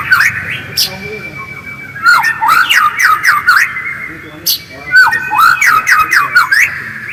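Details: Genuine white-rumped shama voice for luring others into song: two bursts of fast zigzag whistles and crisp clicks, separated by a short pause, over a faint low hum.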